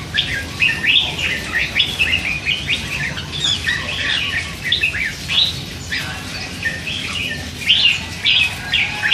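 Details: Hand-reared red-whiskered bulbul, three months old, chattering all day with bits of song phrasing; dense run of warbled, slurred notes with brief pauses.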